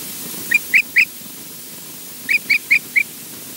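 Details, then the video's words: Osprey at Loch Garten, Scotland: two short bursts of clear, whistled chirps, first three then four sharp notes in quick succession, separated by a pause of over a second, against a soft background hiss. "EJ's funny faces and lovely voice"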